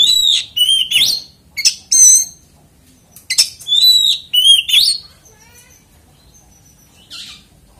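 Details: Oriental magpie-robin song intended to get other magpie-robins singing: several loud whistled and chattering phrases in the first five seconds, then quiet with a faint thin whistle and a last soft buzz.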